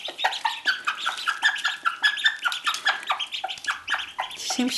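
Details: A Cochin hen in Normandy that hatched ducklings has developed a duck-like voice. She gives high, squeaking, duck-like cries in short, quick, uneven bursts, with a person's voice faintly behind.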